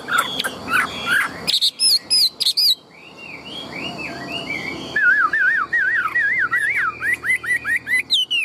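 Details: Caged Chinese hwamei, tame and large, in full song. Varied slurred phrases and high whistles lead into a long series of rapid wavy warbled whistles that rise and fall repeatedly.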